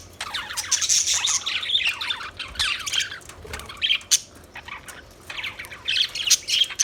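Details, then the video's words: Budgerigars in steady chatter, overlapping warbled chirps and scratchy squawks in dense clusters, with a short lull near the middle before the bright chirping picks up again. "Budgies Chirping Sounds Beautiful Parrot Sounds"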